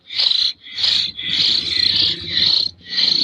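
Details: Young common hill myna chick from Jember, still hand-fed, begs with harsh, raspy bursts of about half a second, five in a row with short gaps. A faint low hum runs underneath.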